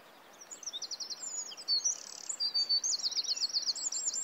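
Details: Red-footed falcon at a nest-cam tree in Polgár, Hungary, during the 2024 breeding season, giving shrill, high-pitched chattering trills in rapid repeated bursts about once a second, with faint background noise.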